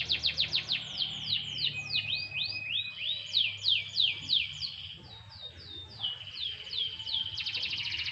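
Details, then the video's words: Canary in a light sunbath singing repeated falling swoops in quick series, a thin steady tone, and a closing fast high trill; loud, clear and bright with faint hum underneath. "burung kenari jemur tipis tipis"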